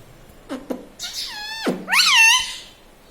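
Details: Pet talking parrot mimicking human words such as "Mummy", "Papa" and its own name indoors; two short low clicks, then a harsh voice-like phrase sweeping down and a loud rising, wavering screechy word.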